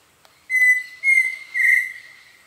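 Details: A pheasant cuckoo perched in forest near the Canopy Tower, Panamá, gives three clear whistles about half a second apart, the first two short and level, the last longer with a quavering finish; faint background clicks.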